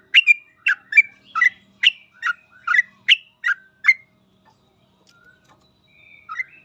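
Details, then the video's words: Sooty-headed bulbul in lively 'gacor full ropel' song style, used as a master recording for training other birds: nine quick liquid, bubbly phrases about every half second over four seconds, then near silence with a few faint notes. "Suara trucukan gacor full ropel"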